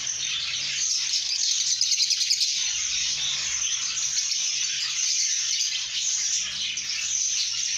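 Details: Lovebirds singing and chirping happily, a thick, continuous high-pitched twitter with rapid pulsing chirps, over a faint low hum.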